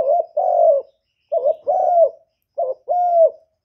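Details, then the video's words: Spotted dove cooing a luring call to rouse other doves: three phrases about 1.3 seconds apart, each a short low throaty note followed by a longer steady mellow coo, with clean quiet background. "CU ĐẤT GÁY GỌI CHIÊU GÙ"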